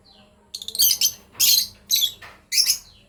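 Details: Lovebird breeding pair: four loud, grating chirps spaced about half a second apart, each a short, buzzy burst, over a quiet low hum.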